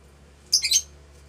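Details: A bonded adult pair of lutino Fischer's lovebirds mating inside their house; one short, harsh, high squawk breaks into a few rapid pulses over a low steady hum.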